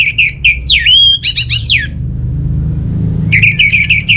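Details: Orange-headed thrush from Bali singing as a lure for home birds that will not sing: quick repeated ringing chirps, a swooping whistle, a buzzy cluster, a pause, then a fast run of sharp repeated notes; low hum beneath.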